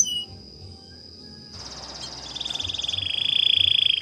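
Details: Canary song used for training birds: after near silence, a soft, rolling trill builds and grows louder, a steady watery warble that holds its pitch beneath a constant thin high tone.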